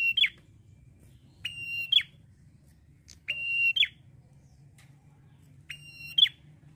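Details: Male red-headed prinia in full song: four drawn-out, even whistles, each finishing in a sharp dropping flick, spaced one to two seconds apart, with faint low hum behind.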